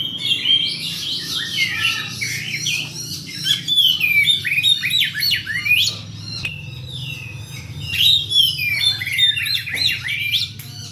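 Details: Oriental magpie-robin (kacer) singing to attract other birds, delivering varied bursts of sweet whistles, harsh chattering notes and quick trills with brief pauses between phrases, accompanied by a steady low hum.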